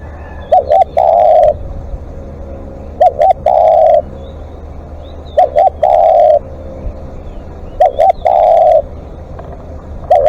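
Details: A live decoy spotted dove gives repeated long calls, each a quick double coo followed by a sustained mellow note, roughly every two and a half seconds. Faint chirping from other birds is heard behind it.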